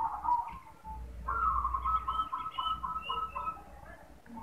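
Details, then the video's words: A male zebra dove calls, giving a soft, quick series of pulsed, purring coo notes that fade out. A few faint higher whistles and a low background rumble are also audible. "PANGGILAN PERKUTUT JANTAN"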